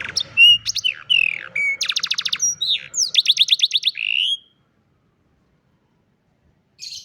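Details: Old canary singing in the afternoon, a varied run of high sliding whistles, rapid buzzy trills and repeated downward notes for about four seconds, then silence with a brief final phrase.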